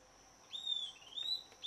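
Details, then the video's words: Southern antpipit of shady, humid woodland giving high, clear whistled notes in three short bursts, each slurring slightly up or down, separated by brief pauses, with a constant thin high drone behind. "Corythopis delalandi, estalador, Southern Antpipit"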